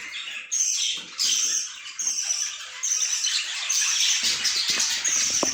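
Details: Budgerigars give a continuous high chattering warble with short squeaky notes and louder chirps breaking in about once a second over a steady background of bird chatter.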